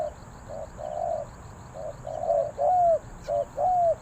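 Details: Spotted dove (Spilopelia chinensis) cooing: soft, hollow low coos, a few short notes then longer slurred ones about once a second, with faint fast ticking insects behind.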